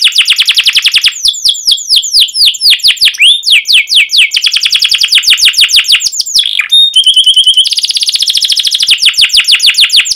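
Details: Domestic canary in full continuous song, long sharp 'cuit cuit' chirps and rolling trills: rapid descending high whistled notes in fast runs, a brief pure whistle near the middle, then steady buzzy trilled rolls to the end.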